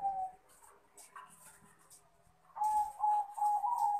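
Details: Male Bangkok crossbred zebra dove calling a rival: a brief coo, a quiet gap with faint background noise, then a steady string of short, even cooing notes.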